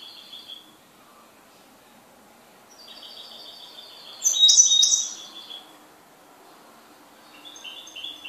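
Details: A kept goldfinch gives soft high notes, then a long rising twittering phrase peaking in a loud, harsh buzz, followed by quieter tinkling chirps.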